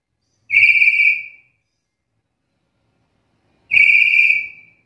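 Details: Two loud, level whistles about three seconds apart from a black-capped lory, a call noted as rare in other lories and fitting for songbird training, with silence between.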